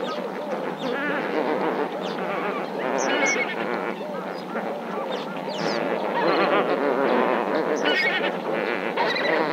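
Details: A dense flock of Lesser Flamingos at Marievale keeps up a steady, goose-like chorus of overlapping nasal honks and gabbling murmurs, with no pauses.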